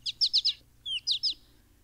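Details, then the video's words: An American goldfinch gives its high, thin "potato-chip" contact call, often given in flight: two quick bursts of three or four sweet, descending chips, each note clipped and bright. "the american goldfinch's most common call is its contact call often given in flight it sounds like the bird is quietly saying potato chip"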